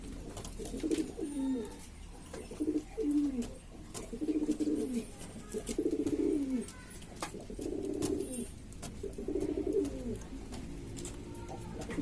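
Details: Noisy flock of domestic pigeons of several breeds from East Lombok, Indonesia, kept by bird hobbyists. Deep, bubbling coos come in distinct bouts roughly every one and a half seconds, each swelling and falling, over soft background clatter.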